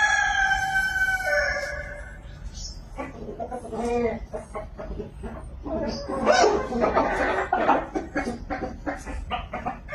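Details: Chicken in a village: a drawn-out harmonic call opens the recording, followed by dense, busy clucking and chattering that rises to a louder cluster partway through.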